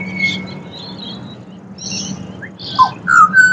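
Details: A pied butcherbird in Australia sings clear, fluting whistled phrases, a few rising and falling notes that grow louder toward the end, over faint chirps and a low background hum.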